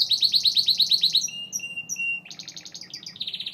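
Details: Gloster canary song opening with a rapid string of loud, repeated high chips, followed by drawn-out whistled notes and then a dense, bright trill, over a faint low hum.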